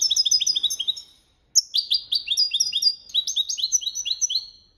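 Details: European goldfinch singing the copia malaga training song: rapid bright twittering phrases of descending slurred notes, one short pause after the first second, then a long run of repeated chirps.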